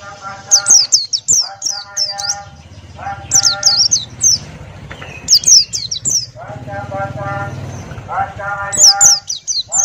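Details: ['Open-beaked male Buxtoni white-eye in ngalas song: rapid runs of thin, high, downslurred whistles, alternating with lower, richer harmonic phrases, against steady low background rumble.']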